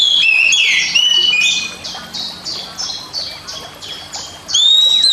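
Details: Oriental magpie-robin (kacer), a caged pet, giving a training master song. A loud whistled and harsh phrase opens, followed by about eight evenly repeated buzzy notes and a final clear whistle.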